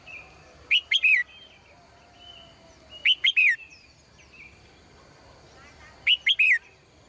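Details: Caged female bird calling in the morning: bright, sharp three-note chirp bursts repeated about every two to three seconds, with faint thin chirps from other birds and a low hiss between them.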